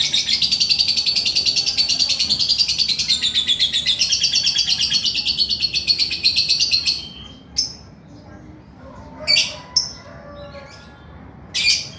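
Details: Male lovebird in full 'ngekek' chatter: a dense, buzzy, high-pitched trill pulsing rapidly and steadily for about seven seconds, then breaking into a few short separate bursts with quiet gaps.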